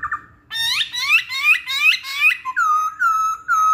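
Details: Loud song of a masked laughingthrush, intended to make other songbirds sing along: a string of rising whistled notes roughly three per second, then long level whistles.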